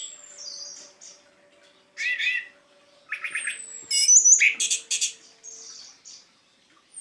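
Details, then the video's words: ['Orange-headed thrush in teler style, played to prompt non-singing thrushes; bursts of harsh rattling and squawky notes between quieter chirps and a long high thin whistle, with short pauses between phrases.'] "SUARA ASLI ANIS MERAH TELER UNTUK PANCINGAN ANIS MERAH MACET"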